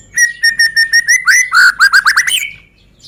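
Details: Lure song of a Medan white-rumped shama for provoking other birds to sing: a steady string of short whistled notes, about five a second, breaking into a fast, tumbling burst of louder varied notes.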